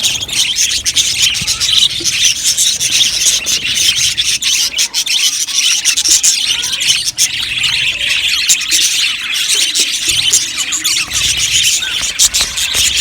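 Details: Australian budgerigars in an aviary colony, a steady mass of high twittering chirps and squeals from numerous birds, constant throughout with small dips in loudness.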